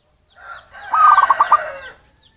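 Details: Local zebra dove of wild origin, calling as bait to attract birds: a single quick series of about six pulsed coo notes set within a broad rustling noise.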